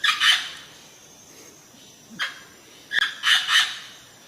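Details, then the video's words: Indian parrot calls: harsh, raspy squawks spread over mid and high pitches. A doubled burst opens, a short call comes near two seconds, then a cluster of three rough squawks near the end, over a quiet background. "Natural Indian Parrot Sounds"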